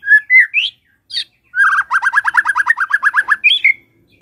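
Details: Morning White-rumped shama song meant to stir a silent shama into singing: a few whistled slurs, then a fast trill of about fifteen quick descending notes, ending with a higher whistle.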